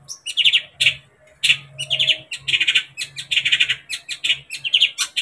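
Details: Long-tailed shrike song meant to excite a pet shrike to sing: rough, rasping chatter of quick notes in repeated short bursts growing more continuous, with sharp ticking clicks and a faint low hum beneath.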